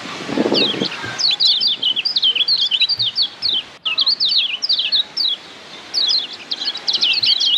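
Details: Lombok yellow white-eye (kecial kuning) sings a fast, high twittering song of quick rising and falling notes, delivered in bursts with brief pauses.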